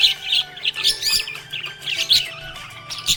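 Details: Happy pet budgerigar chirping: busy warbling chatter of rapid scratchy and whistled notes in short bursts, with steady tonal background lines like music.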